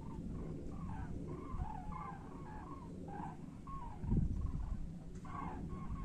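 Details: Flock of common cranes on return migration to Europe, faint trumpeting calls in overlapping bursts, several per second at times, with steady low rumble and a brief thump.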